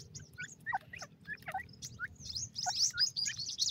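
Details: Grey francolin chicks at feeding time give rapid, squeaky chirps and down-slurred peeps, several per second, ending in a denser burst of thin high twittering over a low background hum.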